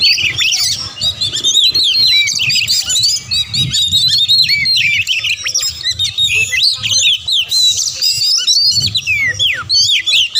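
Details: Continuous energetic song of an Oriental magpie-robin, used as a challenge to stir rival birds into fighting: overlapping high whistles, chirps and twisting slurred notes, with a faint low rumble underneath.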